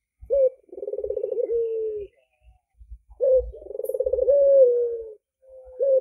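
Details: Albino red-eyed Barbary dove giving low, rolling coos, each opening with a short note, then a rapid purring trill smoothing into a long held tone, repeated twice.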